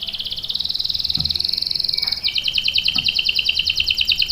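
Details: Energetic canary performing a long rolling song for prompting other canaries and training young birds: a steady, fast high trill, then a switch to a slightly slower, sharper pulsed trill, with faint low background knocks.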